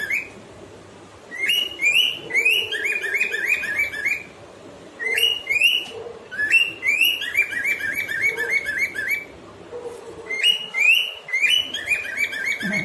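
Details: Two cockatiels sing in bursts of bright, warbling whistles, pausing briefly between phrases, with people talking nearby.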